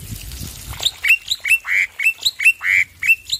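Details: Male black-winged myna giving harsh, nasal squawks mixed with higher squeaky notes in an uneven, chattering sequence, loud and close.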